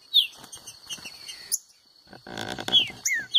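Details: Green-winged saltator giving a few clear, whistled notes that slur downward, widely spaced, in a singing contest against a loose rival bird; a man's voice and background noise break in midway.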